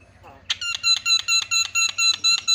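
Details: A myna (jalak kebo) gives a fast run of bright, nasal, ringing notes, about four or five a second, used as a lure call to prompt other mynas to call, in quiet surroundings.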